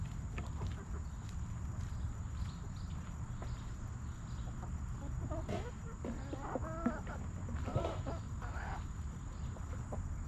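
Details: Backyard hens in their coop, eating and relaxing: a few short, soft clucks appear near six and seven seconds and again near eight and a half seconds, over a steady low rumbling hum and faint scratching.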